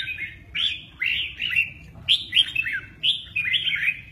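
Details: Red-whiskered bulbul singing 'mơ ché nẹt' while displaying its wings: crisp phrases of two or three slurred, downward-curving whistles, repeated roughly every half second with small pauses between groups.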